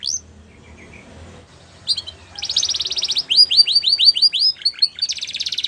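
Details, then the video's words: Belgian canary song starting after a quiet moment: a few soft notes, then a bright rapid trill, a string of falling whistled sweeps, and a closing buzzy roll. "Belgian Canary Song"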